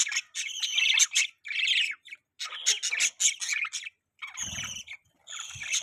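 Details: Budgerigars chirping: a lively, scratchy chatter of warbled, squeaky and buzzy notes in short bursts, with a couple of soft low thumps partway through.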